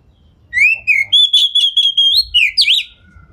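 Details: White-rumped shama lure song used to provoke other shamas into answering: clear whistled notes rising and sliding, a long held high whistle, then quick twisting phrases, over a faint low rumble.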